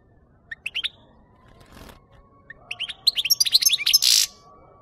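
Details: European goldfinch song used to attract birds for trapping: a few thin chirps, a faint noise burst, then a quick twittering phrase ending in a harsh buzz, over a steady faint hum.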